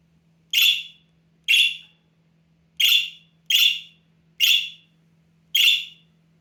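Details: Half-grown budgerigar chick raised as a pet, giving attention-seeking calls at full strength: six harsh buzzy squawks at uneven intervals, some close in pairs, with a low background hum.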